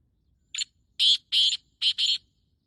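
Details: A black francolin calling at 5:15 on 14 May 2024 gives its harsh, grating phrase: a short clipped note, then two pairs of loud rasping notes, all within about two seconds, against a quiet background.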